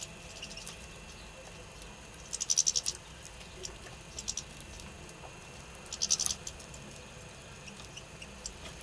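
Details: European greenfinch (Carduelis chloris) at a feeder in Lipník nad Bečvou, Czech Republic, giving two short, rapid bursts of high, dry ticking notes about four seconds apart over a faint steady hiss.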